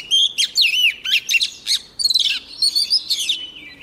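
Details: Female white-rumped shama in song meant to set off singing males; loud, rapid sequence of sweet whistled and trilled notes, quick slurs and sharp chips packed closely together without pause.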